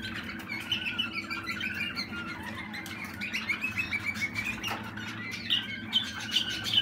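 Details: Young Waterslager canary, a Malinois bird from 2020, singing in a small room: rolling warbled phrases and fluttering trills rising toward the end, with a steady low hum and a wing-flutter sound.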